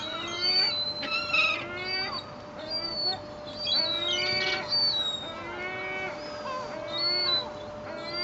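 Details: A bunch of rowdy seagulls squabble over bread thrown from a boat's stern at Fleetwood Docks on a sunny 7/8/2012, giving overlapping harsh, downslurred yelping cries in bursts about every second, with a steady low hum.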